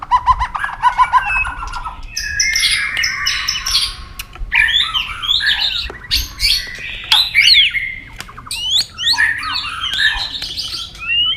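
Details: White-rumped shama stirred into a singing contest, tail flicking. A rich, varied song: low repeated notes open it, then tumbling whistles, slurred sweeps and harsh chattering phrases with short pauses.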